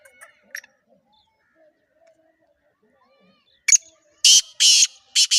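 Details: Calls of a female black francolin: after near silence with a few faint chirps, a string of four loud, rasping, buzzy bursts arrives, two of them long and harsh.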